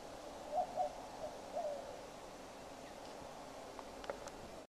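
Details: Western screech owl calling from a perch about 60 feet above the ground; a few short, low hoots follow one another quickly near the start, then stillness with a few faint clicks.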